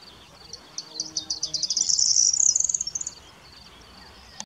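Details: Corn bunting singing at Rači Potok near Košice, Slovakia, on 25 May 2019: a few ticking notes speed up into a dry, high, jangling trill that lasts about two seconds, then fades; faint low rumble behind.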